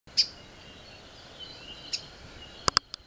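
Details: Young (juvenile) Maui parrotbill or Kiwikiu (Pseudonestor xanthophrys), found only on Maui: two sharp, high chip notes about two seconds apart, then a few quick clicking taps over a soft background hiss.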